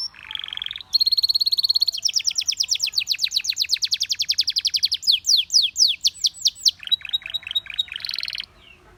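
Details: A Belgian canary whose song made many canaries sing. A low buzzy tour leads into a high trill, then a long fast trill, looping slurred notes, and final chirps.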